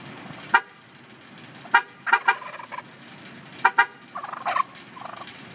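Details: Wild turkey living in a residential neighbourhood, rushing up to passing cars and gobbling whenever they honk: sharp horn toots in pairs, followed by a short, rapid, rattling gobble, with faint traffic noise behind.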